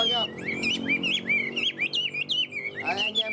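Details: Caged Chinese hwamei singing tam hoàng style, a long run of bright, wavering whistles that rise and fall without a break, over a low background hum.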